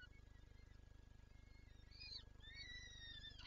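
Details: Peregrine falcon at Lublin, 23 April 2024, wanting to feed its chicks; quiet drawn-out whines, then a louder rising wail that falls away, heard over a constant low electrical-sounding hum.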